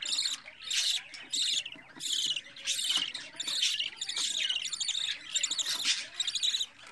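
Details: Budgerigar youngster, day fourteen of its growth at a home breeder's: insistent rasping chirps repeated roughly every half second, harsh and shrill, running almost without pause through seven seconds.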